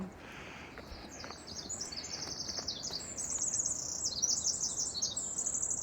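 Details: Pacific wren song on a cloudless sunny morning climb in Glacier, Montana, about two miles into a five-mile ascent: a long, very high, tinkling run of rapid trills and twitters, unbroken and growing louder toward the end. It was called in with Merlin.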